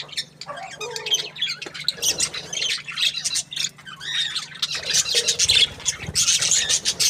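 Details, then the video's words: Happy budgerigar chirping: lively bursts of high, raspy chirps and warbled squeaks, a quieter stretch midway, then dense chatter again over a faint low rumble. "Happy budgie chirping sounds"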